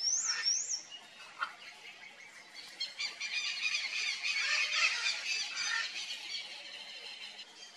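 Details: Red-and-green macaw at its nest during the nesting season: a harsh, raspy burst of squawking fills the middle of the clip, preceded by thin high whistled notes and a short chirp from other birds.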